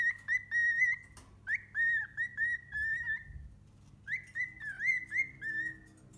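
A cockatiel gives a run of clear, bright whistled notes, some swooping up or sliding down.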